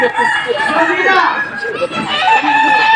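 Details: Kukuak Balenggek roosters compete in the 2025 Boko-class final, the top class of a crowing contest in Sawahlunto, West Sumatra. The breed is known for tiered crows of at least five steps. Several long, stepped crows overlap, with crowd chatter behind them.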